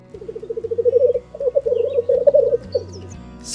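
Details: Black grouse, a rare and threatened forest-breeding bird of Poland about the size of a domestic hen, gives a low, dove-like bubbling: a quick run of soft pulses that speeds up, then rolling, gurgling phrases, with a faint high chirp near the end.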